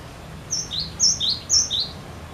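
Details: A cinereous tit sings three quick, high two-note phrases, a thin upper whistle dropping to a lower note, repeated about every half second; the song is meant as a lure to make other birds sing.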